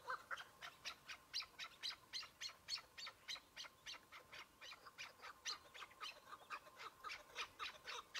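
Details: Chukar partridge, a single bird during a spring partridge hunt on patchy snow early in the season: a fast run of short, harsh chuk notes, about three to four a second, steady but faint.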